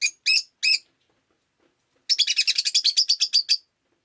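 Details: Rosy-faced lovebird, a pet bird, calling on a rainy day: three sharp, shrill chirps, a short pause, then a fast run of about fourteen rapid, scratchy chirps.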